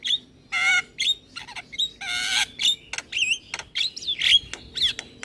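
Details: Head-bobbing caged Javan myna in lively song, mixing long harsh grating bursts with whistled rising and falling notes and sharp clicks, irregularly spaced.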